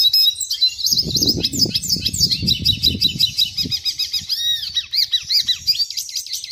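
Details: Red siskin twittering a high, jumbled song of quick chirps and slurs, with low thumping and rustling noises during the first half.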